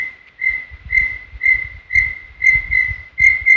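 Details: Brown tinamou whistling in Serra do Brigadeiro State Park, original sound with no effects: a steady, tremulous whistle pulsing roughly twice per second, with faint low rumble beneath.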